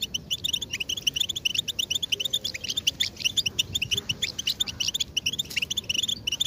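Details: Chorus of European goldfinch mating and readiness calls, meant to push silent males into song: rapid liquid twitters, sharp chips and brief rising whistles from several birds at once, steady and unbroken, over faint low background rumble.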